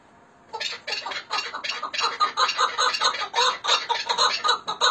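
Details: Chukar partridges from Hakkari and Dersim, Turkey: after a brief quiet start, a steady, rough chuck-chuck series begins, about two to three notes a second, growing fuller and louder.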